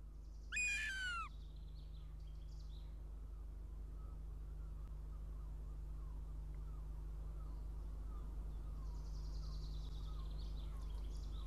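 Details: Northern goshawk youngster at a Latvian nest near Riga, 06:14 on 23 June 2017, arriving for breakfast; one loud, sharply descending whining cry early on, then only faint distant chatter and a steady low drone.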